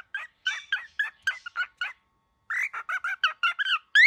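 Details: Very angry baby cockatiel giving a run of short, raspy, harmonic calls, rising and falling, in two bursts separated by a brief pause, faster and louder in the second half, ending on a higher rising note.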